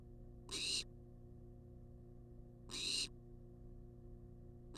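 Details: Two drawn-out, hoarse hissing calls from a wild barn owl begging for food in a nest box, spaced over two seconds apart, with a constant low hum and quiet gaps between.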